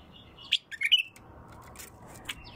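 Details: Bulbul with a pure, raw voice, giving a brief cluster of three sharp, clear whistled notes, followed by faint scattered clicks.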